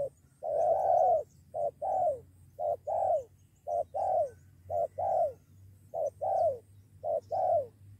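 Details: Spotted dove drawn in by a decoy and ready to fight, calling steadily: paired coos, a brief note followed by a longer downslurred one, repeated about every second over a low background hum.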